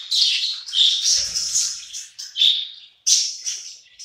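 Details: Hungry budgerigars feeding together in a group, giving loud bursts of buzzy, warbling chirps that rise and fall, with a soft low tapping near the middle.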